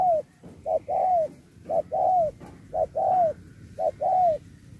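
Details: Spotted dove singing the 'Thúc kèm Bo' contest style in 2024: very regular two-note phrases, a short coo then a longer arching coo that drops at the end, four phrases in under five seconds.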